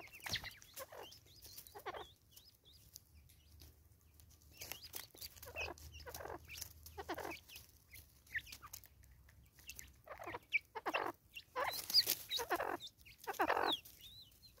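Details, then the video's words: Female Natal spurfowl, angry, recorded in South Africa in 2024: scattered rasping cackles that grow louder and denser toward the end, over faint high bird chirps and a low hum. "Lady bird angry"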